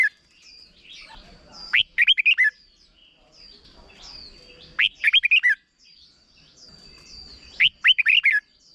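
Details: Short-phrased red-whiskered bulbul song meant for teaching young birds: three bursts of rapid, warbled whistles, each a tight run of five or six notes, roughly three seconds apart, over a thin continuous high tone.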